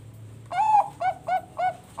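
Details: Farm-bred Bangkok zebra dove from Bekasi, West Java, singing as a lure for other doves: one drawn-out mellow coo followed by three short, evenly spaced coos in quick succession, loud and clear over quiet background.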